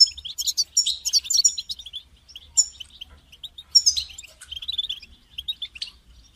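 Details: European goldfinch calling to prompt a caged goldfinch into song: a dense run of high, sparkling chirps at first, then scattered lighter twitters and short trills.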